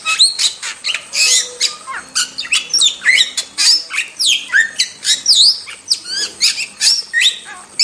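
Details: Wild starling pouring out a dense, jumbled medley of high whistles, V-shaped slurred notes, squeaks and grating squawks, the rapid phrases running almost without break.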